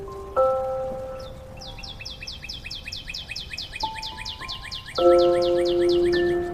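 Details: A sparrow in the morning calls other sparrows to food with a fast run of high, bright chirps, about five a second, over steady held tones like background music; a common myna is also present.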